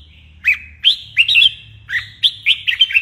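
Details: Bulbul with red whiskers in morning song practice for fighting song: a sparse string of crisp, bouncing whistled notes, each sweeping upward then falling, about eight notes over three seconds, near and clear above faint hum.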